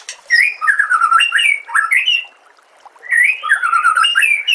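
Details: White-rumped shama in a masteran compilation: two strong bursts of melodious, fluty warbling with rising and falling slurs, separated by a short pause.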